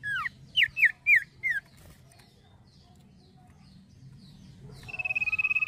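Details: Five crisp falling whistles from a male common iora, a quiet stretch with faint soft notes, then a long pulsed whistle that grows louder at the close.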